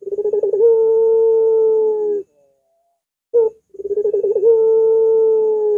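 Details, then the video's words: Long, curved coo of a Barbary dove used as a training and lure recording: a pulsed opening flows into a steady low hum, a pause, a short clipped note, then another throbbing start stretching into a held tone. "Masteran Burung Puter !! Suaranya Melengkung Panjang"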